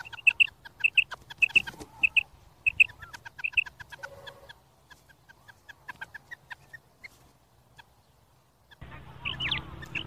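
A female quail gives sharp, high, clipped notes, often doubled, repeated quickly for about four seconds, then softer and sparser, before a burst of rustling noise at the end.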